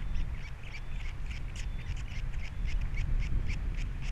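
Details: At a Captiva osprey nest with three chicks, February 2022, the male calls after the female departs; quick repeated whistled chirps, a faint drawn-out note near the start, steady wind in the background.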